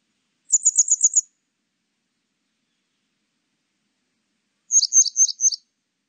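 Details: Grey wagtail in a 2020 national biological resources recording: six rapid, thin high ticks, a long pause, then four sharp chirping notes; no background noise.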